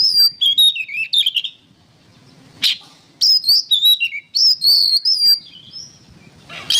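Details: Training-material recording of an oriental magpie-robin singing loud whistled phrases and rapid chattering notes, with a long quiet gap broken by one harsh note, then more bright, varied whistles.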